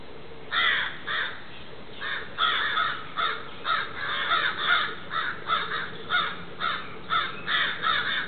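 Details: Two crows harassing a great horned owl in a back yard, giving loud harsh caws in rapid irregular bursts, roughly fourteen calls over eight seconds, some overlapping as both birds call.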